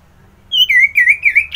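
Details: Orange-headed thrush from Kubutambahan, Bali, singing as a lure for other birds: a brief run of loud, clear whistled notes, slurred and slightly falling, given in quick succession.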